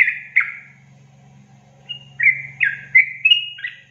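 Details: Yellow-vented bulbul: two quick liquid notes, then a lull filled with low steady hum, followed by a rising cluster of clear whistled chirps near the end.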